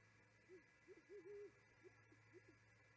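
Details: Great horned owl hooting in the early morning from an osprey nest perch at Charlo, Montana, on 14 January 2019, picked up by a nest camera: soft, low hoots in a stuttering series, one drawn out, over a steady electrical hum.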